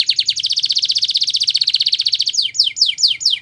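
A Belgian canary sings a rapid, bright trill of about twenty notes per second, then shifts to five or six sweeping, descending whistled notes.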